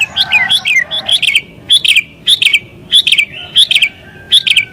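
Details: Agitated sooty-headed bulbul song for attracting wild birds: chattering bright notes at the start, then clusters of ringing two-part chirps repeated just under once a second.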